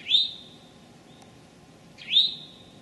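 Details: Eastern towhee on a late May morning, 25 May 2011, in Memorial Forest, Sudbury, or the Desert Natural Area, Marlborough, Massachusetts: two clear upslurred whistled notes about two seconds apart, each ending in a level ringing tone.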